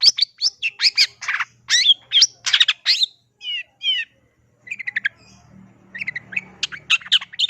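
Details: Cendet in gacor mode: loud, varied bursts of chattering notes, then two short buzzy trills, a brief pause, and a softer run of quick chirps over a faint low hum.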